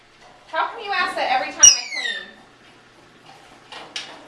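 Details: {'caption': 'Talking 16-year-old adopted African grey parrot, kept indoors, repeating one question while its owner cleans; a burst of speech-like syllables with a bright whistled sweep in the middle, then a pause and brief soft chatter.'}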